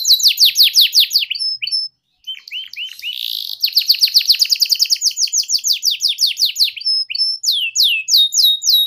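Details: Young-canary tutor song in ngeriwik style: bursts of fast descending chirps, a brief silence, soft rising notes, then a long even series of sweeping whistled notes.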